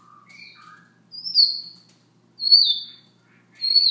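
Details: Morning soft song of a Siberian rubythroat, phrases rising from low whistles to loud high falling notes, a new phrase roughly every 1.2 seconds, each ending in a drawn-out descending whistle.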